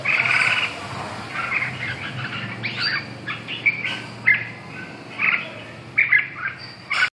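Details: Red-whiskered bulbul opening with a sustained rich warble, then a string of short, lively chirped notes and phrases, some sharp and bright, over a faint low hum.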